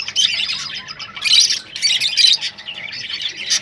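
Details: Kept rosellas in song meant to spur breeding: a dense, continuous stream of high chirps, harsh squawks and twittering with louder peaks, sounding like several birds calling together without pause.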